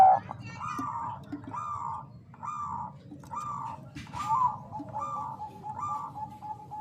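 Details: Female Bangkok-type zebra dove calling to the male, used to raise breeding urge; a series of about eight short, low cooing bursts, evenly spaced under a second apart, over a soft low rumble.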